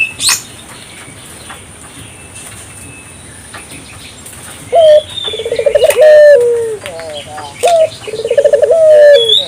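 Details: Calling African collared dove, meant to provoke answering calls from local doves. After a quiet start with distant chirps, one full coo comes: a high note, a throbbing trill and a long falling note, then a second high note and trill.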